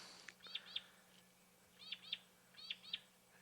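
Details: Green-backed camaroptera (bleating warbler) at Djuma Private Game Reserve, Sabi Sand, greater Kruger, South Africa, on the 10 March 2020 afternoon safari, giving nasal, goat-like bleats in quick pairs, three pairs about a second apart, over a faint low hum.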